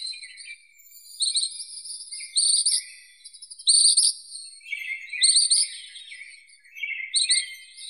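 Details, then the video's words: Dense sequence of high, jingling, buzzy trills from ashy minivet, short rattling bursts alternating with longer rolling notes a bit lower in pitch, repeated irregularly about every second or two. "Как поёт Личинкоед серый (Pericrocotus divaricatus)"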